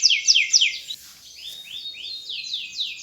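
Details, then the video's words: Canary in lively gacor song, said to suit prompting other birds: three loud downward-slurred notes, a brief soft pause, then a gentler series of rising-and-falling sweeps spaced about three per second. "SUARA BURUNG KENARI GACOR‼ cocok untul pancingan paud"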